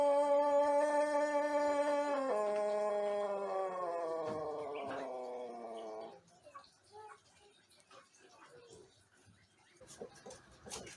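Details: One-month learner Pelung jejangkar crowing in the morning on an empty crop after bran feed; a clear harmonic note holds two seconds, steps down, then sags slowly until stopping at six seconds, followed by quiet rustles and clicks.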